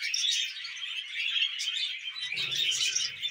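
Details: Pet budgerigars twitter and warble without pause in a bright, scratchy stream of chirps. A low rumbling murmur joins in during the last second.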